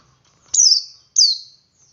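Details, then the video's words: Male Oriental white-eye in ngalas song, used to get other white-eyes singing: two long, high, sweet notes, each sliding steadily downward, about half a second apart, in quiet surroundings. "Suara Burung Pleci Jantan Ngalas Memancing Pleci Lain Ikut Ngalas"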